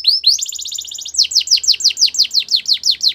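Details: Canary singing for training: one rising whistle, then a quick level trill of repeated notes, switching to a slower series of loud downward-sweeping notes repeated about four times a second.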